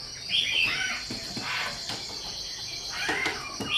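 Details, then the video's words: Wambi bird singing: brief high whistled notes that slide downward near the start, with more bright whistles around three seconds and at the end. A steady high insect-like buzz and background noise run throughout. "SUARA KICAU WAMBI GACOR"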